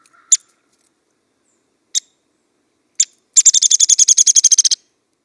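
Downy Woodpecker: three sharp, high pik notes, then a fast whinnying trill of about fifteen notes that drops slightly in pitch at the end.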